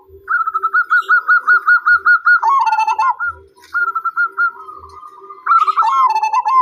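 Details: Zebra dove opening with a string of evenly spaced short coos at a steady pace, then breaking into quick tumbling trilled coos, repeated twice; other birds chirp faintly and soft thumps sound now and then.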